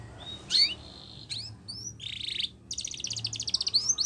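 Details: Spanish Timbrado canary training song, fragmented: isolated sharp chirps and a brief whistle, a short buzzy roll, then a quick metallic trill, over a low steady hum.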